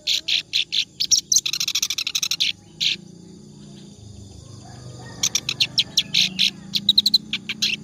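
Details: Nonstop song of a clamorous reed warbler, used to tutor other birds: a run of rapid harsh chatter, a silent gap of over two seconds with low background hum, then the scratchy notes return, slower and spaced.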